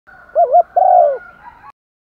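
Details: Caged spotted dove used as a decoy, calling in the morning to lure wild doves in Vietnam; a quavering low coo followed by a longer drawn-out coo that falls at the end, in a quiet setting.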